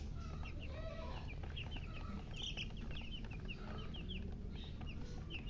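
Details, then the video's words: Baby chickens give short, high, down-slurred peeps in loose irregular bursts. They are somewhat softer against steady low-pitched noise. "silly chicken chirping sounds"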